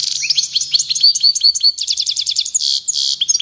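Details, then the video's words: Excited European goldfinch delivers a dense run of quick, sharp twittering notes and short buzzy trills, liquid chirps tumbling together without a break. "Çıldıran Saka - Goldfinch goes crazy"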